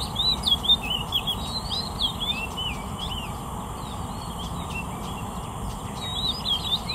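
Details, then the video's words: An Oriental magpie-robin sings a steady run of varied, sweet whistled notes, many slurred up or down, over a low rumbling background and faint high insect hiss. "Oriental Magpie-Robin Singing Beautifully"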